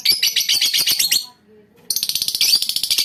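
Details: Colony of lovebirds chattering continuously with dense, fast, shrill notes that break off briefly, then resume just as rapidly.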